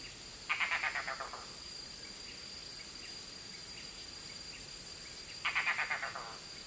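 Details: A red-bearded bee-eater calls to its young before entering the nest: two bursts of rapid, guttural croaking notes, each about a second long and falling slightly, with a steady high insect hum and faint chirps between them.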